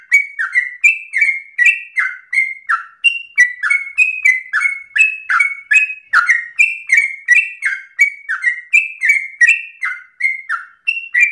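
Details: Persistent sooty-headed bulbul in full ropel chatter, played to provoke and tutor other songbirds: long rapid string of chirps, alternating higher flat notes and lower down-slurred ones, roughly three per second without pause.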